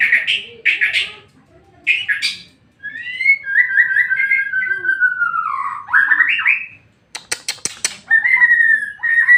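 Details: White-rumped shama singing to provoke a rival shama: clear whistled phrases, a long gliding whistle falling then rising, followed by sharp clicks and another sustained whistle.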